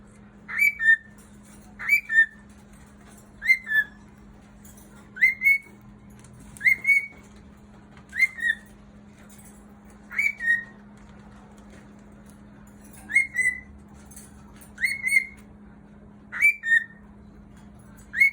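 A cockatiel gives clear whistled two-note calls, a rising note then a dropping one, repeated every second or two.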